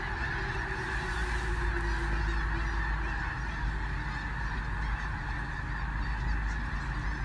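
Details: A massed flock of Sandhill cranes takes flight in Nebraska in early March 2018, seen from a bridge south of Gibbon. Countless overlapping rattling calls blend into an unbroken wall of sound over low rumble.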